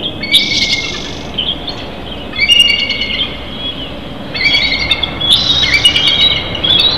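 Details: Big Bear bald eagle nest in early morning, recorded by a live nest camera. High, harsh chirping notes come in several loud bursts over steady background noise.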